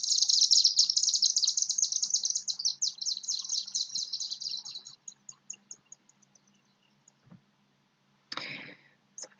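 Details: Chimney Swift, usually heard high overhead before seen, gives a rapid, very high chittering twitter for about five seconds, thinning into scattered ticks; a brief burst of noise follows.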